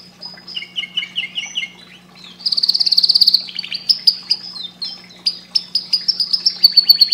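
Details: Canary singing to stimulate breeding, with gentle chirped notes and then a loud, very rapid high trill, followed by a string of bright whistled phrases and quick repeated notes. A faint background hum is present.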